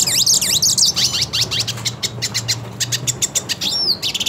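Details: Hooded siskin, a purebred male singing in a mood to fight a rival of its kind, pours out fast high twitters and looping whistled notes, ending in a clear upward-bending whistle; a steady low hum runs underneath.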